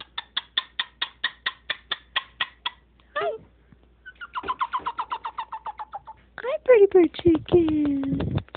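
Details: Pet Moluccan cockatoo in a home, chattering about its day to its owner: an even train of about a dozen rapid clicks, then a faster burst of ticking notes, ending in descending nasal, speech-like syllables.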